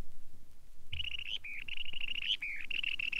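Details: Long-billed Dowitcher calling in a rapid series of high, sharp, slightly buzzy notes at an even pitch, beginning after a brief quiet moment and running on without pause, over faint low background rumble.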